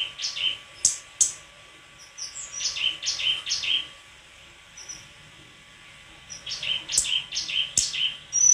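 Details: White-throated flycatcher singing, its clear high chirps and short whistled notes coming in bursts, with brief pauses between phrases and some thin high whistles; little else beyond faint background hum.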